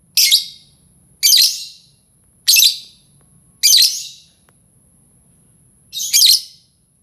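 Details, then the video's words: Lovebird call meant to attract other lovebirds, a series of five loud, shrill, high-pitched squeaky chirps spaced roughly a second apart, with a faint steady high tone running underneath. "Suara lovebird ampuh untuk pancing lovebird lain"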